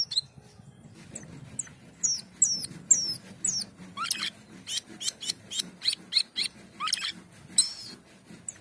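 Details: Asian pied starling, known locally as jalak keling or cucak keling, singing in energetic 'gacor' style: thin S-shaped whistles at first, then a run of buzzy, rasping down-swept notes about every half second, loud and close.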